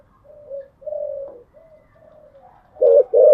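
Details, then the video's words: Spotted dove at morning, a cage bird: several soft, level coos at low volume, ending with two sudden, loud, rounded coos close together. "Tiếng chim gáy buổi sáng"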